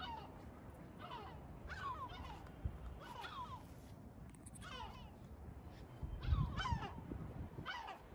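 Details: Several gulls in Batumi calling in quick succession, short falling mewing cries tumbling over each other, with faint voices and low background noise.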